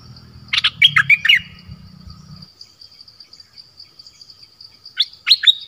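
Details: Streak-eared bulbul with a quick tumble of chirpy notes, then a pause and a few sharp, rising whistled notes at the end; a low hum fades out midway.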